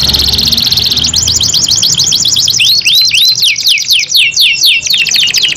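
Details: Canary song in a two-bird duel: a rapid high trill gives way to fast chains of looping whistled sweeps and rising slurred notes, loud and continuous.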